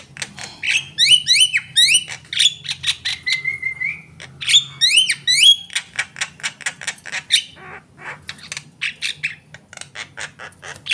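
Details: Javan myna in full song, a rapid medley of rising whistled notes, sharp clicks and short chattering bursts, with one drawn-out rising whistle near the middle and a dense run of dry ticks toward the end.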